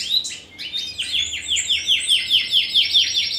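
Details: Spanish Timbrado canary crossed with wild canary, bred 2015, singing a run of evenly spaced downward-swept notes, about four per second, beneath a thin high trill.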